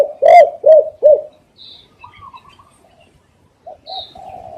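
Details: Spotted dove, cooing as a lure for catching doves, gives three loud, hollow coos in quick succession, then near silence with faint high chirps and a soft coo phrase at the close.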